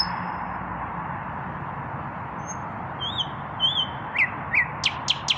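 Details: Evening nightingale song from a male not yet paired: after a quiet start, a high whistle and soft slurred notes, then loud sharp chips and clicks toward the end; low hum throughout.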